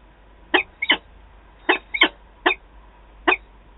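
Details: Peregrine falcon adults meeting at Wałbrzych, Poland, 11 September 2022; a few sparse rasping notes, some in pairs, separated by gaps of up to a second, over faint background hiss.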